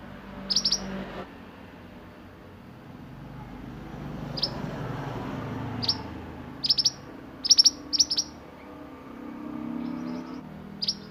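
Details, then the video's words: Sunbird in energetic 'roll nembak' form, kept for tutoring other songbirds, giving sharp high chips singly and in close pairs at uneven intervals, with low background rumble. "Burung mantenan gacor roll nembak untuk masteran"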